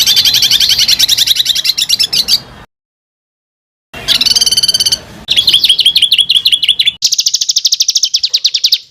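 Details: Harsh, dense songbird trill intended for training fighter birds, buzzy and rich in overtones, followed by silence, then further rapid rattling trills at a steady fast pace.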